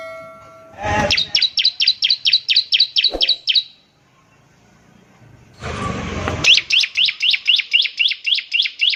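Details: Bar-winged prinia in semi-wild form giving ngebren trills used to prompt other prinias to sing: rapid series of sharp, high, evenly repeated chirps, one burst of about a dozen notes, a noisy pause, then another fast run.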